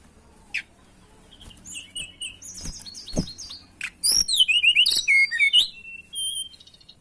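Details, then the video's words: Songbird called tledekan, in breeding condition and seeking a rival, starts with scattered soft chips and short whistles, then breaks into a loud, very rapid series of squeaky zigzag trills and level whistled tails. "Pancingan Burung Tledekan Gacor Birahi Cari Lawan"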